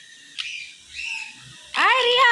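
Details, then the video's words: A sun conure chick, newly arrived in its home, gives a loud, harsh, rasping squawk that rises and falls, after a few softer chirps, with faint background noise. "my sun conure chick"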